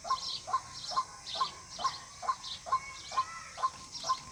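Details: White-breasted waterhen calling as a hunting lure: evenly spaced, abrupt notes about twice a second, each a clipped mid-pitched note with a brief higher edge, and steady faint hiss behind.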